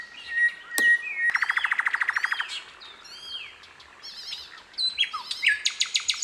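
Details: Sikatan londo (hill blue flycatcher) singing in the wild: a rapid trill of even chips, then varied high whistled slurs and twitters ending in a quick run of bright notes, with a couple of sharp clicks early on.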